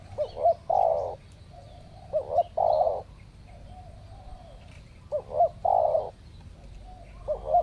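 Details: Wild spotted doves (tekukur), lured in the apparent breeding season when they turn up in pairs; phrases of a quick two-note rising lead-in followed by a long mellow coo, repeated roughly every two and a half seconds, with faint outdoor hum.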